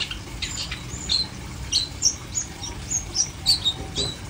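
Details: Long-tailed shrike singing: sharp, high chirps and short squeaky notes repeated about three times a second in an uneven rhythm, with a faint noisy background.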